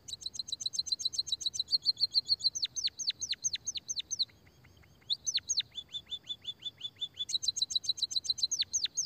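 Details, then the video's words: Sparrow chattering played to lure and stimulate sparrows: long rolling runs of rapid high chirps mixed with downward-sweeping notes, a short quiet break near the middle, then the fast chatter resumes. "pancingan suara burung pipit emprit peking bondol kaji gacor kikikikikik...."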